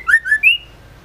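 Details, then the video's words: Female white-rumped shama, kept as a caged bird and used to provoke males into singing: three quick, clear whistled notes. Each slurs upward, and the last is the highest and longest, all within about half a second. "Murai batu betina gacor ampuh untuk pancingan murai trotol & dewasa"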